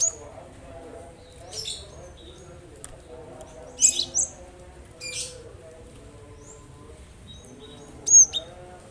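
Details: Cinereous tit calling to spur other birds into song: scattered high, sharp notes and short buzzy bursts at irregular intervals, with a quieter sharp note near the end, over a low hum.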